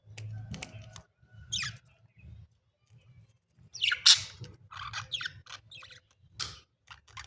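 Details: Two pet budgerigars (Melopsittacus undulatus) in the morning chatter in quick, scratchy bursts of high, buzzy notes over a low background hum.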